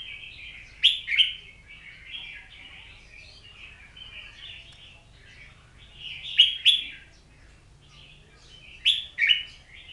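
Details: Oriental magpie-robin delivering a continuous rambling warble. Three strong phrases, each with a piercing high flourish, recur about every three seconds over soft chattering notes.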